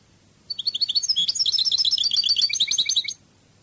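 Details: Long, varied phrase from a European goldfinch singing Spanish Cádiz style: nearly three seconds of dense, jingling twitters and trills shifting between high and lower pitches, slightly descending near the end.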